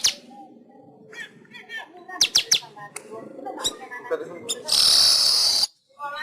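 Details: Pet weaver song used as a master recording for training caged birds: scattered chips and short notes, then a loud hissing, sizzling burst near the end before a brief silence.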